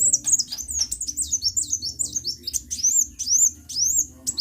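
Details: Lively sunbird song, a fast stream of high, sharp, slurred chirps tumbling together, with upward-flicked notes toward the end over faint low background hum.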